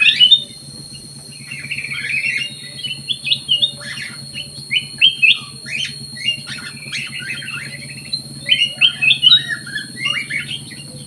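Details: Black-crested bulbul kept in an aviary, singing actively: a lively run of short, chirpy, warbled notes in quick bursts, with a steady low hum and a thin high tone running throughout.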